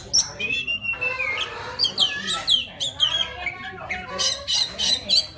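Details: Oriental magpie-robin from the wild, singing to attract a female, delivers clear descending whistles followed by rasping, squawky phrases and bursts of high, scratchy notes.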